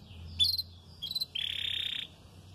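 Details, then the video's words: Red frosted domestic canary singing during the start of its moult, not yet doubling its song: sharp high chirps, then a steady buzzy rolled trill held for about a second, with faint low background hum. "VERMELHO NEVADO, CANTANDO"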